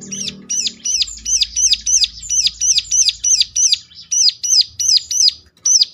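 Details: Ciblek song played as a lure to draw answers from other ciblek: a steady series of loud, piercing, arched high notes, roughly three per second, over a faint low rumble early on.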